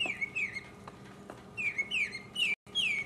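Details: A mockingbird sings alone, 2015 recording: clear whistled notes slurring downward, repeated in a loose series with short pauses, and a brief cut to silence near the end.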